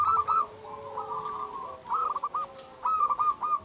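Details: Local zebra dove singing, a lure for making other doves sing: clipped, quick cooing notes and a drawn-out softer trill over a noticeable background hiss, a short phrase repeated near the end.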